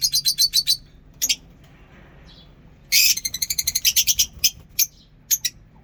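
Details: Morning singing of lovebirds in a mini zoo aviary: a fast series of clipped, high chirps, a short pause, then a dense burst of shrill, squeaky notes trailing off into scattered single tweets.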